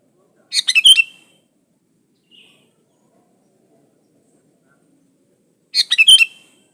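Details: Lively sooty-headed bulbul singing, kept free of other birds' songs and used to prompt other bulbuls to sing: two bubbly, chattering phrases of quick notes about five seconds apart, with a faint short chirp between.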